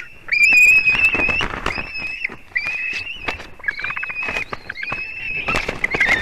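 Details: Nest of white-tailed eagles at Durbe, Latvia, 31 August 2020, 4:50 pm, where the chick screams for a fish brought by its mother: long piping whistles over loud knocking, scraping and rustling on the nest.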